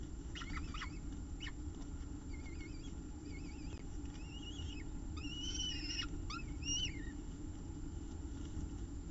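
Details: Peregrine falcon at its nest with food, 5 October 2018 at 3:50 pm: drawn-out, wavering whining calls with several harmonics, rising and falling, then sharper slurred notes, over a steady low hum.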